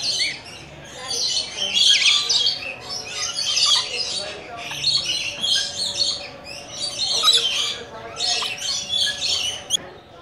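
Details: Visiting Coconut Lorikeets (Trichoglossus haematodus) keep up rapid, shrill, high-pitched screeching chatter in irregular bursts for ten seconds, with a low steady hum underneath.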